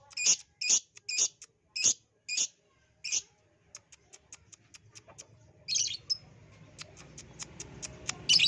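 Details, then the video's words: ['Lovebird song played to coax other lovebirds into singing: a series of loud, harsh, shrill chirps spaced about half a second apart, later thin ticking notes and a rising background hiss.'] "pancingan ampuh love bird jadi bunyi"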